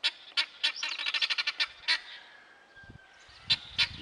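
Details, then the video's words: Helmeted guineafowl calling: harsh, rasping notes in a fast rhythmic burst of about a dozen pulses, then a pause and two more isolated squawks, with faint low rumbling in the background. "Éneklő gyöngytyúk"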